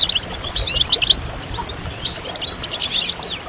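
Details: Collective goldfinch chirping used to encourage males to break their silence and sing. Short bursts of bright, liquid twitters and thin whistles come in two clusters, separated by a brief quieter gap.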